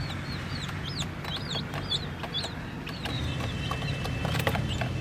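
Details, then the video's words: Chicks playing around a toy jeep give bright, looping high peeps, some rising then falling, in quick irregular bursts, with sharp clicks and a low rumbling background. "Murgi Chicks Chirping Sounds"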